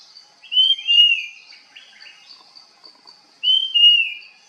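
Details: Puff-throated babbler calling while foraging: two clear, high whistled notes, each sliding downward and then levelling off, about three seconds apart, over a faint steady hiss with soft chatter between.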